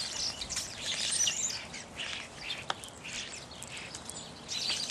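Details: Evening grosbeaks chattering at middle distance: softer, overlapping high chirps and squeaks that rise and fade in loose waves, one sharp click near the middle, steady hiss beneath.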